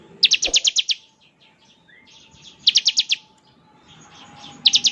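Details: Bar-winged prinia ngebren song, a style used to make other prinias reply: three short high rattling bursts of five or six rapid clicks each, separated by quiet gaps of about two seconds.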